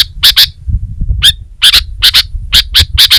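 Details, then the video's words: Vigorous Sooty-headed bulbul (kutilang) song for training Indonesian songbirds: paired sharp chips repeated roughly every half second, one slurred note after a short gap, with a low rumble behind. "Suara Burung Kutilang Gacor Terbaik 2022"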